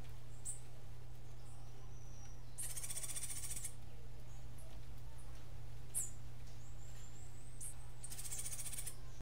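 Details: Cuban grassquit performing a learned martillito-style song: high chips and thin whistled notes between two loud, buzzy, rapidly pulsed trills, each about a second long and several seconds apart, with a steady low hum.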